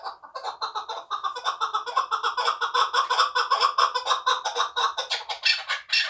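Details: A captive two-year-old hunting chukar partridge from Tojikobod district, Tajikistan, gives a fast, steady, rhythmic series of chuck notes that grows louder and denser near the end.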